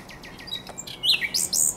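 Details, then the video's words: Brief fragment of a common nightingale's night song at the Żerań Canal, April 23–24, 2022: soft descending slurs, then loud, high, squeaky chirped notes tumbling quickly. "Śpiew słowika rdzawego"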